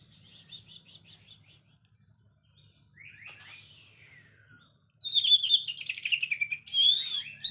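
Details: Oriental magpie-robin in lively 'gacor' song with the chattering 'ngekek' variation: faint high chirps early, then from about five seconds loud, varied, scratchy whistled and rattling phrases packed closely together over a steady low hum.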